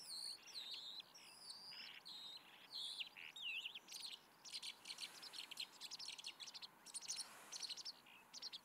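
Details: A Calandra lark at Alikes Kitrous, Makedonia, Greece, in 2018 sings a fast, unbroken run of high whistles, trills and dry chirps, including mimicked notes, which grows scratchier and more clipped toward the end.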